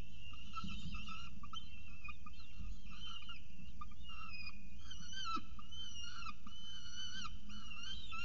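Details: Peregrine falcon with a pigeon breakfast at its nest at CSU Orange, 24 October 2018, 7:59 am; stuttering whines give way to longer upward-sweeping thin calls, over a steady low hum.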